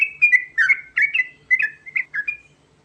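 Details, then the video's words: Loud, close trucukan garuda (sooty-headed bulbul) delivering rolling ngerol song: a quick chain of bubbling, slurred whistles, some rising and some dropping, ending in a softer trailing note. "Panggilan Burung Trucukan Garuda Ngerol Isian Mewah Cepat Bikin Nyaut"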